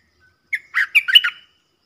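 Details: Wild bulbul answering a caged lure bird, a big-voiced bird that sings back each time but keeps away from the cage: a short burst of rich, gurgling whistled notes around a steady bright tone, about one second long, in a quiet setting.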